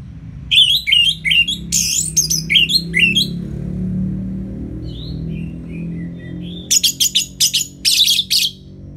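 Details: Orange-headed thrush in ngeplong song: rapid chains of loud, sweeping whistled notes, then softer wavering twitters over a low hum, before the bird bursts again into fast, shrill repeated phrases.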